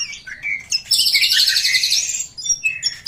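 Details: Greater green leafbird song to lure other birds into singing: a few whistled notes, then a loud high buzzy trill lasting about a second, followed by short sharp chirps.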